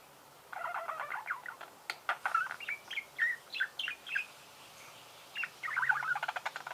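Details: Budgerigars singing: a chattering warble of short, rapid chirps and squeaks, some harsh and creaky, in bursts with a brief pause near the middle, with a few sharp clicks mixed in.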